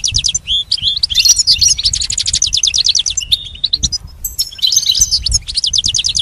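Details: Pet goldfinch song lesson: quick repeated trilled notes in rhythmic series, a short steady whistle, then more tinkling twitters and buzzy rolls.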